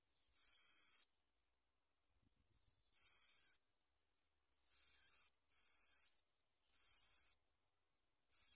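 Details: Nestling bar-winged prinias beg while parents feed them black worms at the nest: high, hissy, shrill bursts about half a second long, repeated roughly every one to two seconds, with near silence between bursts.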